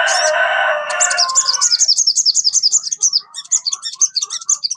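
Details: Crested jay, a kept bird, played to prompt another caged bird to sing: a harsh broad note opening into a long, loud, rapidly repeated high rattle of wavering notes, with soft lower chips underneath.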